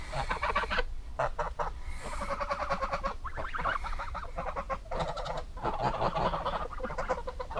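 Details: A busy mix of goose honks and softer clucking notes, overlapping almost without pause, against steady low-frequency noise.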